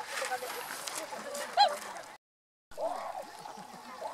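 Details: Tundra swans (Cygnus columbianus) recorded 1 January 2014, adults and juveniles calling: one clear, hooting honk over a steady murmur of a calling flock, followed after a short break by softer, lower nasal calls.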